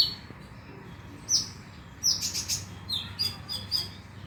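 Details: Konin played as a lure to get the bird singing at night: a single high squeaky note, then a quick run of bright, rapid chirps and short twitters that end in scattered high notes.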